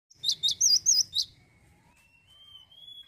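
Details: Male Cinereous tit singing vigorously: five loud, high, wavy whistled notes in quick succession, followed by a faint, long, thin rising whistle in the background.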